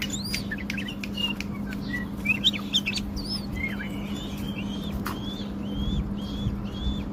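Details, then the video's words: Wing-flicking tame male bulbul, Baghdad, Iraq, gives looping whistled phrases, then a string of similar short slurred whistles repeated about every half second near the end, against a steady low mains-like hum. "تغريد بلبل اليف طك جناح برواز"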